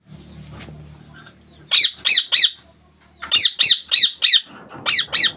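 Rose-ringed parakeet giving harsh, shrill screeches in quick bursts of three or four, about three per second, over a faint low hum.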